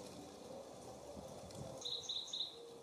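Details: Bullock's oriole, adult or juvenile male, visiting a grape jelly feeder in the mountains of Descanso, San Diego County, California, Cleveland National Forest; a quick burst of short, bright, high notes near the end over low background rumble.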